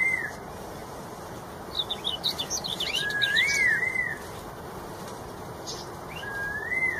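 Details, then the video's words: In the wild, a red-tailed straw-headed bulbul sings a looping fluty warble amid a burst of rapid high chirps from other birds, then one more short rising whistle near the end. "CUCAK ROWO EKOR MERAH | MASTERAN MEWAH | GACOR NGEPLONG..DI ALAM LIAR."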